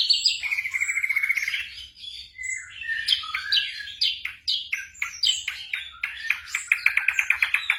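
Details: Black drongo song played as night-time tutoring for caged songbirds: a sharp buzzy burst, then a steady flat whistle, then varied chirps and whistled slurs ending in a fast, even rattling series; faint low hum beneath.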